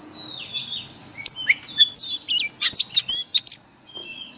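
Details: Oriental magpie-robin singing in forest-voice style for daily caged-bird training. Drawn-out high whistles lead into a quick string of sharp, clipped notes and slurred whistles, before a short pause and a final faint whistle.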